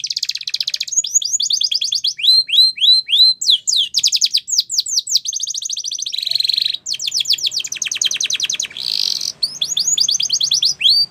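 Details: Spanish Timbrado canary singing to train young canaries: long sequence of rapid rattles and descending whistles, changing speed between phrases, with buzzy trills in between and faint background noise.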